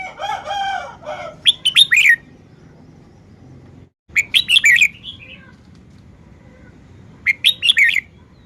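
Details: Red-whiskered bulbul singing three bright, bubbling phrases of quick whistled notes, each ending in a downward slur, spaced a few seconds apart. A lower, harmonic nasal call opens the sequence.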